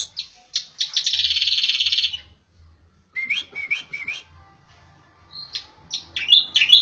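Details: A Javan striated grassbird (Megalurus palustris palustris, of Java and Bali) opens with a harsh, buzzy rattle lasting about two seconds, then gives a run of clear, rising whistled notes and sharp chips.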